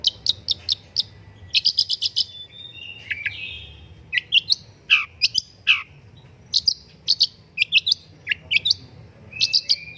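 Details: Long-tailed shrike master song for prompting birds to sing: fast rattling series of sharp high ticks alternating with slurred descending whistles and scratchy notes, lively and continuous over ten seconds with a soft background hum.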